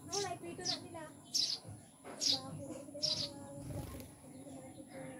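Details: Newly kept mountain-caught Eurasian tree sparrows give short, bright chirps in scattered bursts about once a second, over steady human talking.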